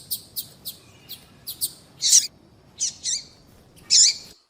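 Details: Calling female double-collared seedeater, used to stir up males kept by breeders; a run of quick faint high ticks, then three louder buzzy chirps spaced about a second apart.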